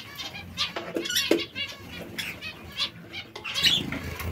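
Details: Captive zebra finches pecking at seeds and fresh lettuce; one gives a quick run of harsh, buzzy, nasal song notes, with soft rustling or wing flutter mixed in.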